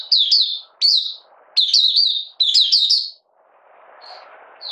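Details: Oriental white-eye from Malaysia starting its song while in light moult, 31 July 2023: four quick bursts of sweet, high, slurred twitters, then a soft murmur of background noise and a faint single note.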